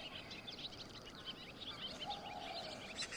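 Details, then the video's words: Barn swallow twittering in a fast, continuous run of short, high, chirping notes, with a low steady background hum throughout. "家燕 Barn Swallow"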